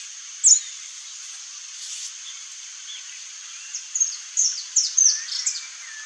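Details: Saffron finch singing: one sharp high note, then after a pause a quick series of short, bright chirps and slurred notes, high-pitched, over a steady high hiss.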